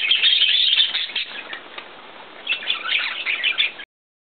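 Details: Pet male budgerigar feeding a female; soft, busy chirping chatter, loudest at the start and again toward the end, with quick scratchy notes and faint rustling, cutting off abruptly into silence.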